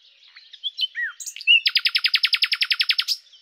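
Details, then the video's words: Nightingale song (Luscinia megarhynchos): a few soft whistles and slurs lead into a long, very regular series of about eighteen loud, clipped notes delivered rapidly, ending with a thin high whistle. "#Common_Nightingale (Luscinia megarhynchos)"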